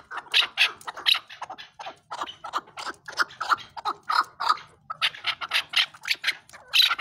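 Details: Chukar partridge calling with a run of harsh, clipped chuck notes repeated several times a second in uneven bursts, with short pauses between phrases; a faint low hum sits underneath.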